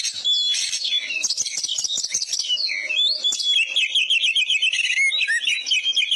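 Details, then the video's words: Oriental magpie-robin in full, steady song used as a tutor recording for other birds: a dense run of sharp chirps and whistled notes, high-pitched and almost continuous throughout, with trills and quick warbled phrases near the end. "Masteran isian ful burung kacer gacor"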